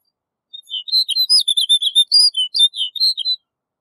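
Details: Snow bunting singing a rapid, clear warbling phrase of high whistled and twittering notes, about three seconds long, with no other sounds.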